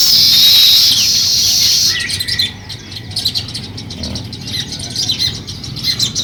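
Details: Nest-building sparrows chirp in a loud, bright burst at first, then settle into softer scattered tweets repeated roughly every half second against steady background noise.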